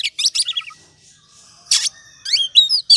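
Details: Oriental magpie-robin singing in the ngobra style, used as a lure to rouse other birds. Quick high chirps, a pause, a harsh buzzy burst, then rising whistled slurs.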